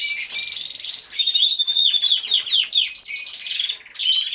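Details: Several canaries singing in an aviary, real sound. Loud, rapid trills and a long clear whistled note run together in a dense stream, briefly fading just before the end.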